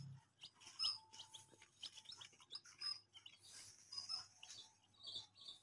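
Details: Baby chicks chirping, high thin peeps scattered irregularly, some short and sharp, others longer and wavering, over a faint low hum.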